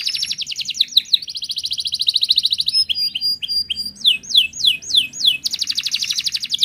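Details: Wild Atlantic canary, a primer song for drawing out singing: dense rapid trills alternate with twittering phrases and a series of five loud descending slurred whistles before another fast rattling trill.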